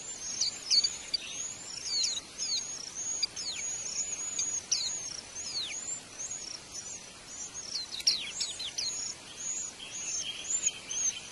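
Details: Wild white-eyes at their nest while feeding young: high, thin chirps and short downward-sweeping notes come in quick irregular bursts throughout, with a steady soft background hiss.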